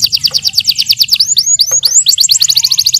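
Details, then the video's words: A yellow canary sings a training song, a fast even trill of sharp repeated notes broken by a few long downward-swooping whistles, then another rapid trill. "The best CANARY Singing- Training song for yellow canary"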